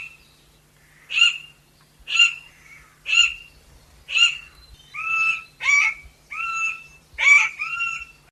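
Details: A chestnut forest rail, a small rail of montane forest, calls in a steady series of eight harsh, rasping notes about one per second. The later notes are longer and more drawn out.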